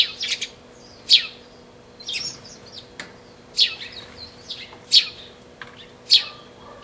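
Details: Sparrow pair on 20 March 2012 calling with bright, clipped chirps about once a second, some doubled, with short softer twitters between them and a faint steady hum behind.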